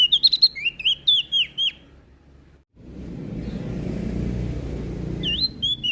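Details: Prinia from Lombok singing vigorously: a quick cascade of about ten sharp, downslurred high chirps, a pause filled with rumbling background noise, then a few more whistles at the end.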